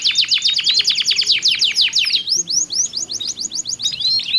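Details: A pair of canaries trading songs with differing tones, meant to stimulate other canaries: quick rattling trill of down-swept notes, then a slower run of rising whistled chirps, about three per second.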